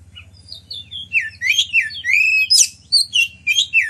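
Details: Captive Oriental magpie-robin singing loudly to spur rival males into song and tail display; varied sweet whistles, slurred rising and falling notes and sharp buzzy bursts in quick succession, with a low steady hum underneath.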